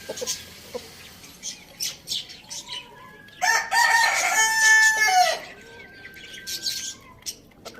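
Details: Rooster in a farm village, among roosters eating tomato, gives one loud harmonic crow lasting nearly two seconds mid-clip, with soft scattered chirps of small birds before and after.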